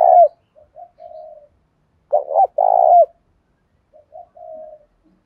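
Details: Spotted dove with a 'giọng thổ' voice, cooing to stimulate newly caught birds to answer and fight: one full phrase of two throaty stuttered notes and a long hollow coo, bracketed by soft, low trailing notes; otherwise quiet.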